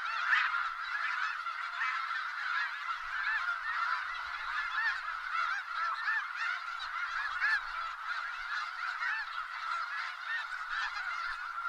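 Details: Snow geese in Skagit Valley, a huge flock calling together in a dense, continuous wall of nasal honks and yelps, overlapping without pause for the whole stretch.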